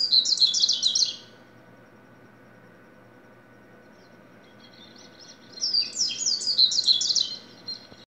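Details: Double-collared seedeater singing two bursts of fast, high, jumbled twittering notes about a second long each, separated by roughly four seconds of near silence.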